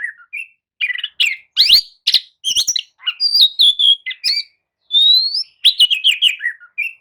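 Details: Oriental magpie-robin lure song, used to prompt a sluggish bird into answering and singing: a fast, varied run of clear whistles, rising slurs and short buzzy notes, high-pitched and nearly continuous for seven seconds, with no other sounds.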